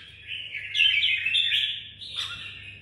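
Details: Caged red-whiskered bulbul in Vietnam singing one rich, rolling warble that swells and then ends in a sharp downward-swooping note, over a soft low hum.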